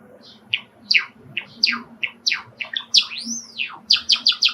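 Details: Pet sakura Java sparrow, a male indoors by an open screened window, sings excitedly as wild sparrows call from a park outside: a run of sharp downward chips leading into a high arching whistled sweep, then quick repeated clicks.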